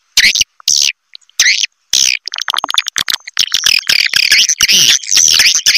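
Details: Triple Queen roosting call of swiftlets, piercing high chirps and trills in clipped bursts, turning into a busy continuous twitter with rapid clicks after a few short gaps.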